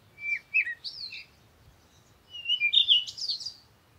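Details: Parakeet giving two bursts of chirpy, warbling calls, short slurred notes rising and falling between mid and high pitch, separated by a brief pause; no other sounds stand out.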